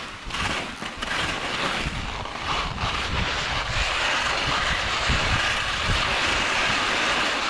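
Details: A steady roar of a passing airplane mixed with wind buffeting the microphone outdoors at Carson Pass, with no animal voices.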